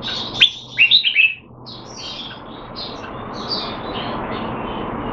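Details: Caged red-whiskered bulbul kept in Singapore, in training to keep it sharp while out of form, 25 December 2020: a short burst of bright, warbled notes early on, then continuous faint chirping from other birds.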